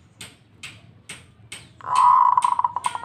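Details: Local zebra dove in full song, answering another: four sharp dry clicks about half a second apart, then a sustained mellow cooing trill breaking into rapid beaded pulses.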